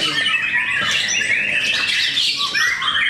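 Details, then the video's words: Competing white-rumped shamas at a singing contest in Cikeas pour out a continuous tangle of high whistles, slurred notes and scratchy chatter, with several birds singing at once. "Serunya pertarungan murai batu"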